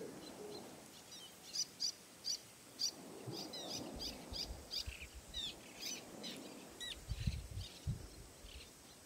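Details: Little tern on Amami Ōshima, Japan, giving sharp, high, clipped calls about twice a second, with a low rumble of wind underneath.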